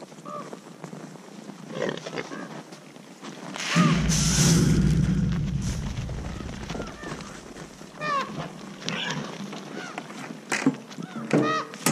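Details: Common ravens give several harsh, arching food-associated 'haa' calls spaced about a second apart, over low rumbling grunts and a loud burst of noise, while feeding at a boar carcass; such calls recruit other ravens and reveal caller age and sex.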